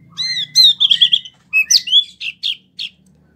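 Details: Kept wambi in rolling song: crisp high whistled slurs and a quick trill of repeated notes, followed by short separate chirps with brief pauses, low hum beneath.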